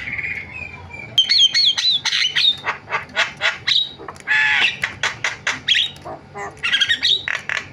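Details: Javan myna's varied song opens with a steady whistle, then breaks into wavering whistles and rapid rhythmic harsh squawks and clicks, loud and energetic throughout.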